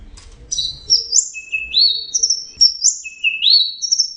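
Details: Orange-headed thrush in teler full song: clear whistled phrases, each sliding upward in a rising step, in alternating high and slightly lower pairs, with brief gaps. Faint low rumble early on.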